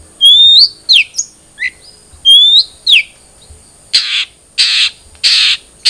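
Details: Long-tailed shrike, known locally as cendet trotol, in a lure recording meant to start a kept bird singing: rising whistled slurs followed by sharp downward notes, then four harsh, buzzy, grating bursts at regular intervals, with a steady high hum.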